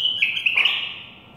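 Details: A bulbul singing while kept and fed bread: a loud, clear whistled phrase of short warbling notes that falls slightly and fades out over about a second, against steady low background hum.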